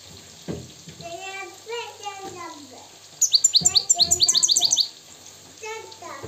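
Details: Wild Moroccan goldfinch singing: a burst of rapid, high, sweeping twitters repeated about ten times in quick succession, preceded by lower, drawn-out harmonic notes that rise and fall.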